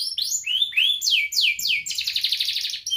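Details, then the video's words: Canary singing in ngerek style as a lure for young and lazy canaries: a series of loud arching sweeps, each falling sharply, followed by a rapid, even, rattling trill. "Kenari Gacor Ngerek Menekan Lawan Ahlinya pancingan Kenari paud belajar Bunyi dan Kenari Malas Bunyi"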